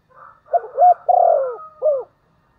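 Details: One phrase from a spotted dove used as a decoy, its voice said to suit wild birds well. A soft lead-in, then clipped coos, a drawn-out rolling note and a dropping final coo. A fainter bird sounds alongside.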